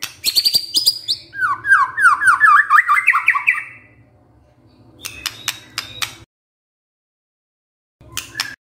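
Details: White-rumped shama (murai batu) lure song to trigger a full repertoire. It opens with a burst of high, harsh chattering, then fast repeated down-slurred notes, followed by scattered clicks and a short break of silence.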